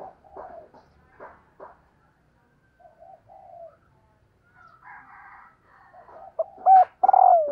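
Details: Calling female spotted dove, used to excite males. Soft muttered notes and faint higher tones come first. A loud phrase ends the clip: clipped notes building into a rich trembling coo.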